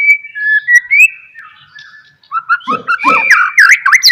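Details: White-rumped shama song played as a lure to prompt other shamas to sing: steady clear whistles, then a rich fast jumble of slurred, chattering and sweeping notes.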